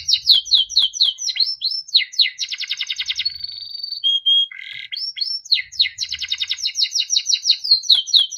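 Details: Beautiful melodic song of a yellow Timbrado canary. Cascading falling whistles lead into a dense rolling rattle, a sustained thin whistle and a pure tone, then a buzz and more trills.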